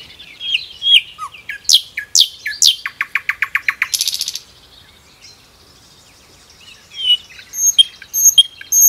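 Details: Forest-singing common nightingale: varied chirps and rising whistles lead into a fast, evenly spaced run of about ten repeated notes, then a dense buzzy burst, a pause, and fresh high phrases.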